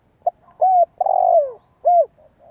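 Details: Spotted dove coo phrase from a lure recording for getting young birds to coo: a soft clipped note, a rounded coo, a long burry coo falling in pitch, then a final arched coo and faint trailing notes.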